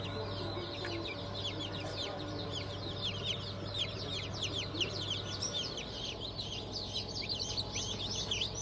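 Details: Newly hatched chicks of the Cream Legbar, Sussex, Sultan and Fizan breeds, from a hatch dated 20 June 2023. A dense flock chorus of high, short, downward-sliding peeps overlaps constantly above a steady low hum.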